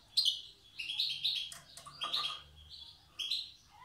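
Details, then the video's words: Wild European goldfinch from Tiaret singing in the old song style: short bursts of bright, buzzy twittering, separated by brief pauses, over a faint low hum. "تغريد حسون تيارت( أداء الحسون البري اللغة القديمة)"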